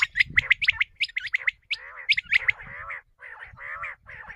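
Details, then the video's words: Common quail sound used to lure quail for hunting: a quick string of sharp, high chirps, then several harsh, buzzy, nasal gargling phrases with short gaps, over faint low noise. "Common Quail bulara | shikar k leay batair ki awaz | بٹیر کی آواز شکار کے لیے"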